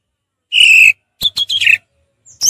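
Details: Orange-headed thrush ngeplong phrase: a sustained pure whistle, a brief gap, a quick cluster of slurred descending whistles, then a sharp high note at the end.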